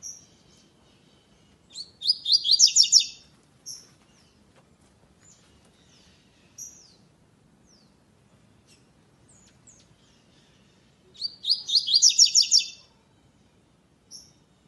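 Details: Caged double-collared seedeater performing the classic song without the third note for a web singing tournament: two dense bursts of bright, high, rapidly repeated slurred notes about nine seconds apart, with scattered soft high chips between them.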